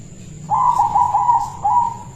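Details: Silver local zebra dove, a caged lure bird, singing a short loud cooing phrase of rapid rolling notes with a small break before a final trilled note.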